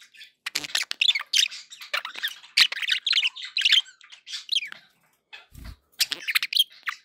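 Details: Pet parakeets chattering, lively scratchy warbles and squeaky chirps in quick succession, a brief pause, then more chirping and a soft low thump.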